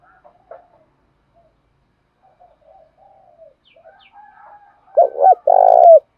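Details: Spotted dove cooing eagerly as a lure for other birds; faint distant murmurs and soft notes precede a loud close phrase of two quick hoots and a drawn-out mellow coo at the end.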